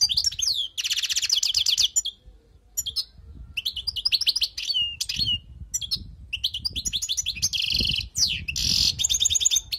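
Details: Wild goldfinch song for tutoring birds: opens with a buzzy, rattling trill, falls quiet briefly, then resumes with lively phrases of bright twittering and further harsh buzzy notes toward the end.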